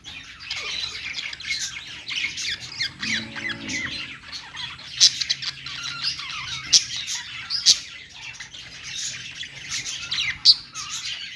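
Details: Pet budgerigars, Australian parrots, singing on a perch: dense continuous chattering warble of many squawks, chirps and buzzy notes, with sharp clicky accents at intervals, several birds overlapping.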